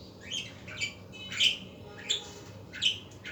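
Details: Budgies calling in the afternoon: quick raspy chirps and short warbles in separate bursts about every half second, over a faint constant low hum.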